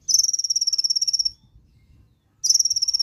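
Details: Brown-throated sunbird (konin) joining in with 'nembak' song after a recording is played once: two fast, high, even trills of rapid ticking notes, about a second long each, separated by a short pause, with faint low background rumble.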